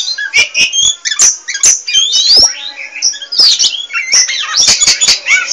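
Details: Oriental magpie-robin, pied 'poci' form, singing hard and without stopping: rapid sharp clicks mixed with bright rising whistles and buzzy warbled phrases throughout.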